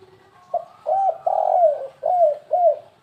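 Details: Spotted dove cooing as a bird lure in the 'kuk3 gagap' stuttering style: a clipped first note, then four soft, hollow coos, the long central one falling away before two shorter arched notes.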